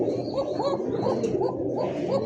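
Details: Domestic pigeons at a breeding farm in Shafipur, Gazipur, Dhaka, Bangladesh, cooing in a steady run of rounded, rolling notes that rise and fall about every quarter second, with faint background noise indoors.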